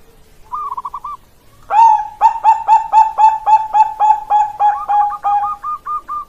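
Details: Bangkok perkutut zebra dove, 16 October 2023: one brief burbled phrase, then a loud series of rich lower coos pulsing steadily about four per second, ending in a quicker run of higher clipped notes.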